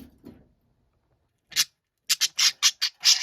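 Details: Noisy budgerigar kept as a pet: a low murmur, a pause, then one sharp screech followed by a quick cluster of loud, harsh squawks.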